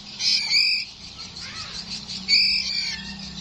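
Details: Nine-day-old white-rumped shama chick from Borneo; loud, harsh, buzzy calls with high whistled overtones in two strong bursts about two seconds apart, with softer rapid chattering notes between them.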